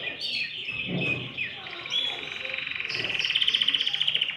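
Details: Canary singing to stimulate other birds: mixed chirps and short buzzy phrases build into a loud, quick, pulsing trill at high pitch.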